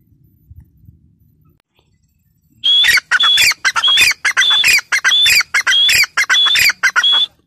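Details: After a quiet start, a grey francolin bursts into loud, shrill, repeated calls. Each note carries a piercing whistled tone and comes about every two-thirds of a second.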